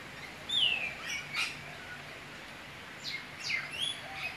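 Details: Eastern whipbird that comes daily for breakfast, one bird calling on lookout while the other feeds. A sliding whistle falls into a sharp whip-like crack. A second round of cracks and upswept notes follows about two seconds later, over a soft background hiss.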